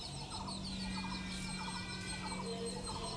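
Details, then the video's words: Indian grey hornbill, a parent feeding its offspring: rapid series of short harmonic notes repeated in quick bursts, over a steady low hum and background noise. "Ocyceros birostris (Indian Grey Hornbill )"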